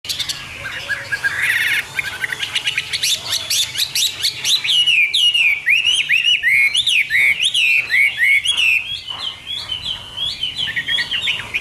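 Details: Hwamei singing in the morning: a long, varied run of loud, slurred whistled notes, rising and falling and repeated rapidly after a buzzy, scratchy opening, with no other clear sounds.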